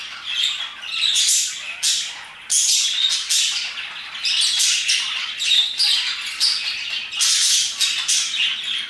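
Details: Parakeets singing their hearts out around 2pm: continuous chattering of many birds, grating squawks in quick bursts with short higher whistles and a steady busy background of calls.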